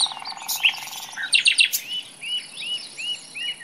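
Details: Common nightingale song in a forest: a low buzzy churr opens, then sharp clicking notes and a string of soft upslurred whistles repeated at an even pace over steady background hiss.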